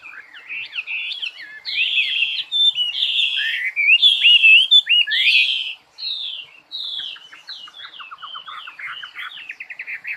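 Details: Energetic bird song of loud warbled phrases and slurred whistles that ends in a fast, buzzy trill of rapidly repeated notes.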